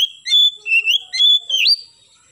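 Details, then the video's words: Morning song of an oriental magpie-robin: steady, clear whistled notes held at a mid-high pitch, joined by short sliding inflections and ending on a higher, rising whistle. "KACER GACOR pagi hari nembak"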